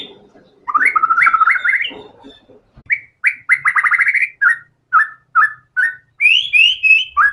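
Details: Energetic white-rumped shama song packed with learned phrases: a rapid trilled burst, then a series of short separate whistles and buzzy notes, ending in high sweeping whistles.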